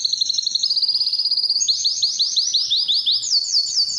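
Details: Singing canary, a training recording for attracting females to mate: quick high trill, then louder slow swooping notes, then a higher tour of strong rising whistles at the end.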